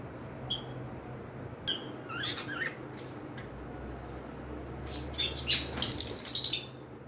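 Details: Cockatiels kept as pets call with scattered sharp chirps, then a quick run of about seven rapid, bright notes near the end, against a faint low hum in a quiet room.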